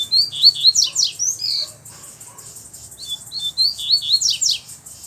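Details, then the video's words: Black double-collared seedeater with a bluish-white bill, singing firmly while loose: two loud bursts of rapid high whistled notes, slurred up and down, separated by a brief quieter gap. "Coleiro Preto do Bico Branco Azulado Solto Batendo Firme!!!"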